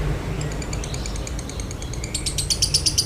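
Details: Lovebird, 'konslet' song with a dry tone, meant to prompt other lovebirds to sing: a thin series of rapid high ticks that grows into louder, buzzy chattering pulses over a steady low rumble.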